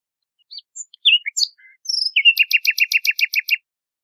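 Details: Nightingale phrase of varied whistles, slurred chirps and thin high notes, breaking into a fast, regular trill of about a dozen repeated chirps; recording otherwise silent.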